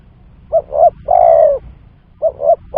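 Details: Spotted dove coo used as a lure for trapping. One complete phrase of two quick soft coos and a long, slightly sinking coo, then the next phrase begins.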